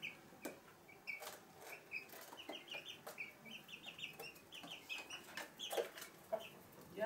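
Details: Mother hen and chicks indoors at Sandoval de la Reina, April 2016; many short, high, chirping peeps from the chicks in quick irregular runs, with faint low clucking from the hen.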